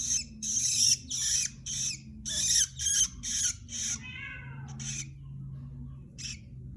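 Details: Young long-tailed shrike, a cage bird being trained with tutor songs, giving a rapid series of harsh, raspy bursts roughly twice a second, then a softer descending chattering phrase and a few more scratchy notes over low background hum.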